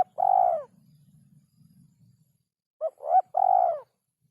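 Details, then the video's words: A spotted dove singing its rare-rhythm song. A long, smooth coo is followed by a pause with a low murmur, then a quick double note and another long, falling coo. "Burung Derkuku Iramanya Yg Sangat Susah Di Temukan"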